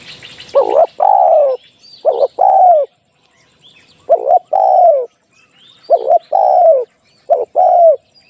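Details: Spotted dove cooing to lure wild doves for trapping: five phrases of a short broken note plus a longer warm descending coo, delivered at an irregular pace, with faint twittering of other birds.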